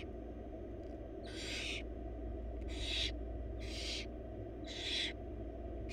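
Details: Four wild barn owl nestlings beg for food in their nest box while their mother delivers a rabbit; five noisy, hissing snore-like screeches roughly one per second, with a continuous low electrical hum underneath.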